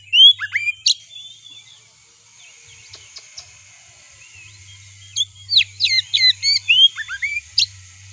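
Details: Kacer (Oriental magpie-robin) song played to provoke another kacer: a few loud upslurred whistles, a subdued stretch of faint warbling, then a rapid run of sharp, bright chirps and slides, with a constant low hum and high whine.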